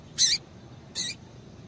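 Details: Female Rusty-collared Seedeater call used to stimulate males: two quick, bright, high-pitched chirps under a second apart, clean with only light hiss behind.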